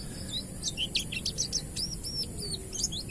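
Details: Oriental white-eye, ngalas style, singing to stimulate untrained white-eyes; a quick run of high twittering notes and looping chirps, then a few well-spaced arched whistles.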